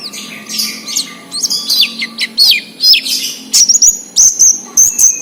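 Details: Oriental white-eye recorded wild as a lure for captive birds: lively high chirps and twittered notes, then repeated sustained high thin whistles near the end, over a low constant hum.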